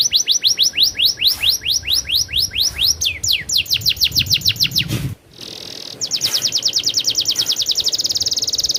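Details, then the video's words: Energetic canary rolling song: series of rapid downslurred whistles at an even pace, a short break with a burst of noise, then a dense, very fast high trill. "suara burung kenari ngerolll super gacor"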